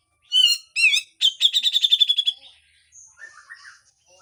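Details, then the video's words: Grey-cheeked bulbul giving a harsh full song: two wavering, harmonic-rich notes, then a fast rattling train of about ten buzzy notes, followed by faint softer chirps. "MASTERAN CUCAK JENGGOT FULL KASAR DAN BESETAN"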